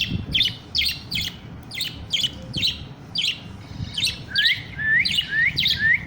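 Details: A budgerigar chick answers a whistle with quick, bright chirps repeated about twice a second.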